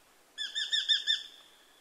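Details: Eurasian hobby calling a short run of five quick, high, ringing 'kew' notes in even rhythm, fading out at the end against a quiet background.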